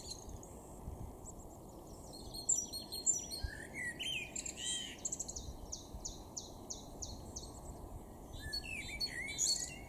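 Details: Great tit singing in a garden in Weener, East Frisia, northwest Germany, in April 2022: a run of bright, high repeated notes at a steady quick pace after scattered chirps, over a constant low rushing background noise.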